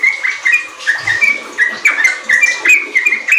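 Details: Sooty-headed bulbul in full song, used as a lure so young kept bulbuls start calling 'riwik' and singing rapidly: bright whistled notes near the same pitch, short rising and falling slurs repeated roughly three times a second, with faint background hiss.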